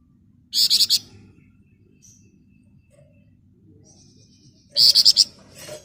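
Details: Flamboyan giving the 'ngebren nyerecet' song: two short, shrill, rapidly pulsed high bursts about four seconds apart, with a thin faint whistle between them over quiet background hum.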